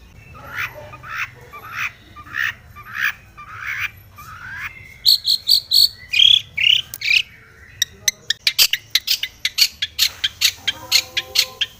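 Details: Long-tailed shrike in aggressive, rival-seeking song meant to excite other shrikes: a slow series of rising whistled notes, then higher sharp whistles, ending in a rapid volley of dry clicking notes.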